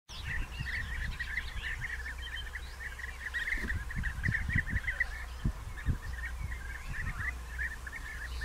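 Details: European bee-eaters in early June 2021, still digging nest burrows, with courtship gifts and mating under way; short rolling calls repeated steadily throughout, many overlapping, over low rumbling wind or background noise.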